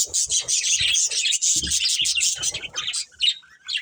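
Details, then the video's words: Pet budgerigars of a breeding pair chirp in quick repeated notes, about three per second, scratchy and high, with soft low thumps underneath. "Cute Budgies Chirping Sounds"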